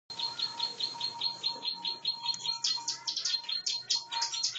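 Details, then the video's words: Bar-winged prinia, a champion fighting-contest bird, singing vigorously: rapid repeated high, sharp chipping notes in continuous rhythmic phrases, with a steady electronic tone running underneath. "Burung Jawara Ciblek Sawah Gacor Tarung extream"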